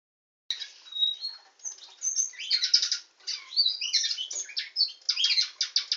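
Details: Canary singing a lively, varied song of high chirps, buzzy trills and short clear whistles, delivered in quick bursts with brief pauses between phrases.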